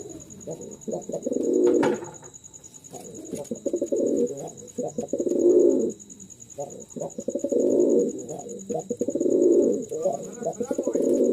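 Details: Male pure Jalali pigeon from a pair kept indoors for sale, cooing in long low rolling bursts about every two seconds, with brief gaps, some handling noise and a steady high-pitched hum.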